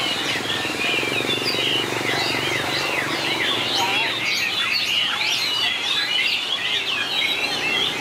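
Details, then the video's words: Singing contest of white-rumped shamas with long voice changes. Loud whistled phrases, quick slurs and chirps overlap steadily, with a low murmur in the background during the first half. "Tuyển tập chòe lửa hót đấu Bộ đẹp,nết chơi đẹp,đảo giọng dài hay nhất 2019║Suara murai batu gacor"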